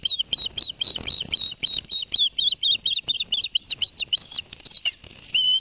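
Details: Osprey family at Barnegat Light, New Jersey, in September 2021, male bringing two fish for the young: a fast, continuous stream of sharp whistled chirps over faint background rustle.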